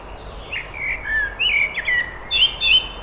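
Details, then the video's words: Blackbird singing on 23 May 2021: a run of mellow, fluty warbled phrases rising into thin, squeaky twitters, over a faint low rumble. "blackbird - singing"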